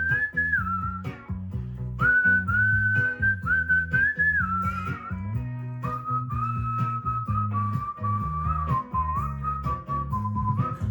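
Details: Cockatiel whistles long, clear tune phrases over soft plucked-string music, a training recording of whistled tunes (Spiderman, Brazil, Addams Family, Apache) meant to teach pet cockatiels to sing.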